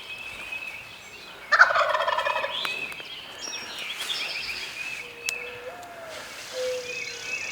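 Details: Male Wild Turkey sounding off from its roost on Maryland public land, recorded on a hunt: a loud, gurgling, rattled gobble about a second long stands out clearly, with songbird chirps and low drawn-out whistles around it.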